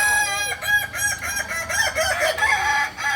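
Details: Kokok Balenggek roosters at a joint crowing practice in Amko, Solok city. A rich harmonic crow runs through most of the stretch as a series of wavering, stepped syllables with short breaks. Faint background murmur.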